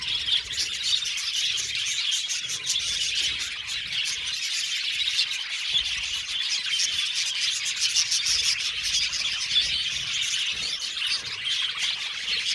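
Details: Aviary flock of budgerigars chattering without break, a continuous high warbling murmur made of countless rapid chirps and squeaks from many birds at once.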